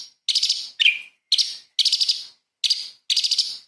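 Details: Light-vented bulbul delivering 'tembakan' phrases for coaching magpie-robins: six dense, stuttering high bursts, several made of rapid pulses, separated by short silences.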